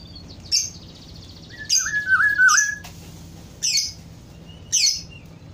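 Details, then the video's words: Black-throated oriole: one warbling whistled phrase of slurred notes sweeping down and up, surrounded by several loud, sharp, high chirps repeated about once a second and a constant low hum. "kepodang hutan ( black throated oriole )"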